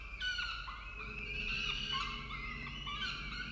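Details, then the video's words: Male peregrine falcon delivering food at a camera-monitored nest in Orange, Australia; a sustained, harmonic, slightly rising wail dominates, with shorter overlapping cries from other birds. "Sokół wędrowny Orange Australia - Xavier z dostawą dla Marri & Barru"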